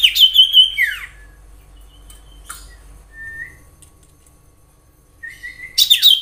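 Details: Wild common iora song used to draw in other ioras: a loud, falling whistled phrase, a long quiet stretch with a few soft whistles, then a rising whistle and another loud burst at the end.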